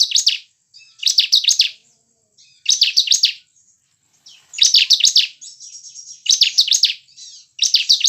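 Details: Bar-winged prinia (ciblek) song used as a lure to get caged birds singing: bursts of high, sharp, rapidly repeated chirps, each about half a second long, separated by short pauses, with thin high notes between bursts.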